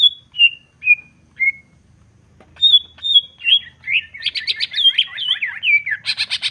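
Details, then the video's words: Falling clear whistles from a greater green leafbird open its rival-provoking song, followed by rising high notes and a fast flurry of buzzy trilled chips that grows dense and harsh at the close. "Cucak ijo gacor jamtrok Nembak bongkar isian. Pancingan emosi cucak ijo dijamin emosi"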